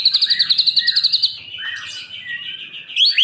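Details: Kept Medan-type white-rumped shama, in mimicry training: a fast series of about fifteen high staccato notes, then a softer wavering warble, ending with sharp rising whistles.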